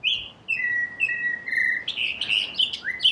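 Northern Cardinal song: clear, level whistled notes repeated a few times, then quicker, higher slurred phrases and a final rising whistle.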